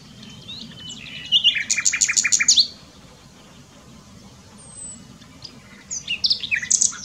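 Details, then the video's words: Common nightingale in song at Dohr, Eifel, Germany, delivering a fast rhythmic run of about ten loud, sharp repeated notes, a pause with a faint thin whistle, then another burst of rapid high chattering notes. "Nightingale singing. Nachtigall singt."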